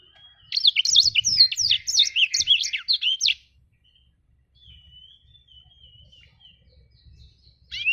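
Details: Blacktrut jabrig, a black-throated canary singing actively: about three seconds of rapid, high, tumbling warbled notes sweeping up and down, followed by a faint, thin wavering whistle and the start of another phrase.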